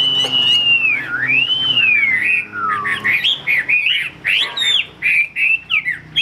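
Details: Chinese hwamei, a high-quality bird offered for sale in Vietnam, sings loud slurred whistles that swoop up and down, then breaks into quick varied whistled phrases and short notes.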